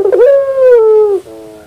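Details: Single long coo from a puter pelung dove in the morning, steady and slightly falling after a brief rough start, ending in a faint lower note.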